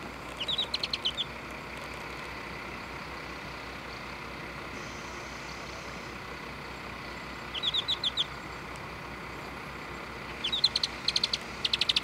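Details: An adult Alpine accentor, possibly the father of a family group feeding on the ground, in Nagano, gives three short bursts of quick, high twittering song, the last one longer, over a steady broad hiss like wind or a distant engine.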